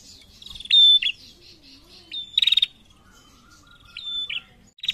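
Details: A female prinia calls to males: a piercing high whistle with a buzzy tail, then a stuttering rattle of clicks. Softer whistled phrases follow after a pause, over a quiet background.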